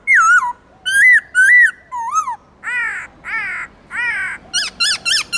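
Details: Black-throated laughingthrush singing a many-voiced forest-style song, used to stir captive birds into singing: loud whistled notes swooping down, then rising buzzy phrases, ending in quick repeated bright whistles, all with rich ringing overtones.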